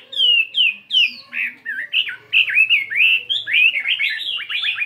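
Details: Caged fighting Chinese hwamei, 72 grams, practising its varied morning song: loud clear whistled phrases sliding up and down, switching tones rapidly, notes repeated in quick bursts.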